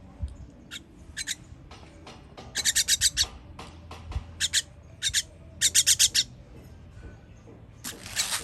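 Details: Chicks begging while being fed, 21 June 2023: scattered harsh, rasping bursts that build into rapid runs of five or six, then pause briefly before another volley, with faint low background noise.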